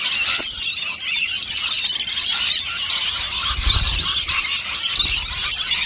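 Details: A big flock of rainbow lorikeets feeding on nectar at lunchtime fills the air with a steady wall of piercing, high-pitched screeches and squeals, with occasional low knocks from the feeding dishes.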